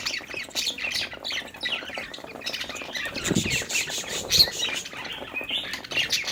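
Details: Budgerigars, happy and playing, chatter in a rasping, warbling babble of overlapping chirps, with a lower thump-like sound midway.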